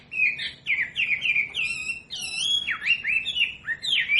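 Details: Wambi singing for a captive-bird training track: a string of rich whistled notes, several sweeping sharply down then back up, delivered in quick succession.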